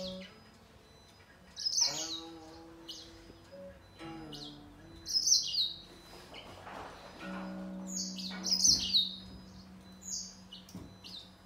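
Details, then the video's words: Grey singer finch singing against a green singer, producing separate clusters of sharp high chirps and trills every few seconds, with low drawn-out music in the background. "Gery singer finch VS Green singer singing fight 灰燕和金青斗唱"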